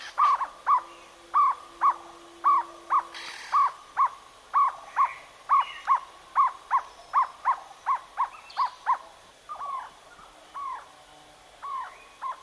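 A jungle owlet gives a long, rhythmic run of mellow paired hoots, about two per second, fading and slowing toward the end.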